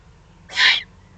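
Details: A single rough, wheezing hiss from an excited young Eurasian eagle-owl, Eifel region of Germany, June 21, 2020, short and broadband, rising and fading smoothly in a still setting.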